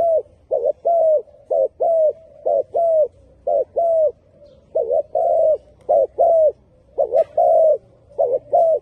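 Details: Spotted dove giving a long series of soft coos, quick doubled notes between longer arching ones, evenly paced, background quiet apart from a faint low hum.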